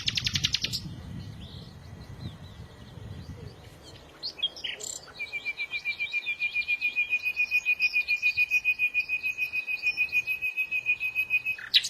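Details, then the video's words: Bird song opening with a brief buzzy burst and scattered chirps, then a long, steady, high trill of fast repeated notes lasting about seven seconds, with fainter twittering above it. "تغريد العصافير"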